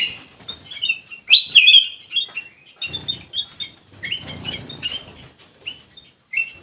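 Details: Black-capped bulbul singing energetically ('gacor'), with irregular bouts of whistled and warbled notes, a bright looping phrase near the start, and short clear notes spaced through the rest.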